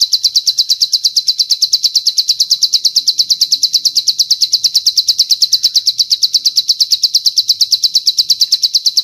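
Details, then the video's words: Training recording of bar-winged prinia with long cililin inserts: a continuous, rapid series of identical high chirps, around seven per second, keeping even volume throughout. "Masteran Ciblek Sawah Isian Cililin Panjang"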